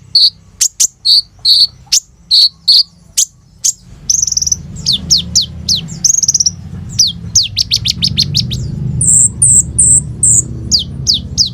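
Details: Van Hasselt's sunbird (kolibri ninja) in full, lively song with trilled 'roll tembak' phrases, recorded on an Oppo A37f phone: high chirps repeated about every half second, then rapid series of sharp descending whistled sweeps and thin high notes, over low steady hum.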